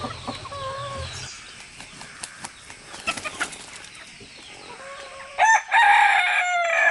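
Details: One of three roosters with their hens, crowing to communicate. Small birds chirp and a few thin whistled notes come first, then a loud, harmonic crow begins near the end and is cut off.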